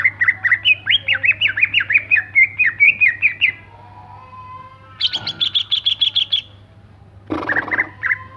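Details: Energetic greater green leafbird song, opening with a fast run of rising and falling whistled chirps for about three seconds, then a pause, a rapid high buzzy trill, and a final rustling burst with more chirps; low hum throughout.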